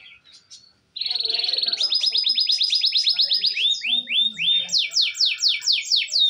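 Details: Real canary singing as a daily tutor recording for canaries that will not sing: a brief faint note, then a long rapid buzzy trill shifting into sweeping repeated slurred whistles.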